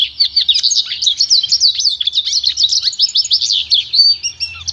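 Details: A goldfinch-canary hybrid pours out dense, high, rapid twittering with quick slurred notes and short whistles, sung without pause as pure training song.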